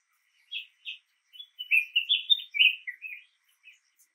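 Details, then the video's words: A red-whiskered bulbul, recorded in Pune, India, in August 1993, gives two short chirps, then a rapid run of bright, warbled, slurred notes, ending with a few soft chirps. "Red-Whiskered Bulbul Chirping"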